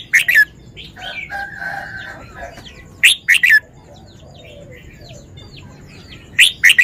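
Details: Caged Red-whiskered bulbul repeats brief, bright whistled phrases about every three seconds, each a quick burst of two or three notes; between phrases a harsher, drawn-out, buzzy call from another bird and soft chirps.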